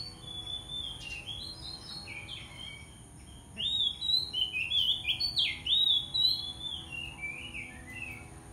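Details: White-rumped shama singing aggressively to challenge a rival. After a quieter opening, loud varied whistled phrases sweep up and down in quick succession, over a steady low hum.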